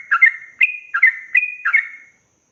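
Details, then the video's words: Yellow-vented bulbul ropel song, used to tutor young birds: four or five bright chirps with held whistled tails, evenly spaced about every third of a second, ending in silence. "Trucukan gacor ROPEL PANJANG ini BIKIN burung trucuk BAHAN, BAKALAN, MUDA GACOR"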